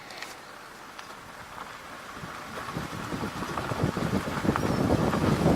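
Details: Vehicle road noise and wind rumble build steadily louder, with no animal voice heard.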